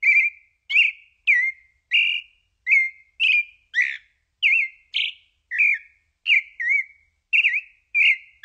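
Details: Turdus amaurochalinus, the pale-breasted thrush, sings a steady series of short varied whistles, some wavering or looping, about one and a half per second, each note distinct and bright against a quiet background.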